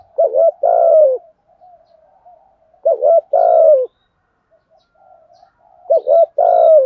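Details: Spotted dove cooing as a lure to draw wild doves in for cooing contests. A low, mellow coo phrase repeats about every three seconds: a short double note, then a longer drawn-out coo. Faint soft murmurs fill the gaps.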